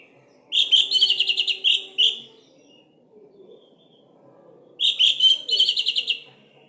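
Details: Orange-headed thrush singing to trigger stuck birds: a rapid, rattling, canary-like trill broken into short bursts, a pause of nearly three seconds, then another fast buzzy trill.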